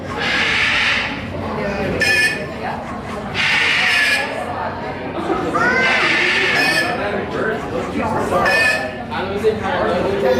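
Plush-crested jays give loud, harsh calls with ringing, rising notes in bursts every second or two, over a dense background of chatter-like noise.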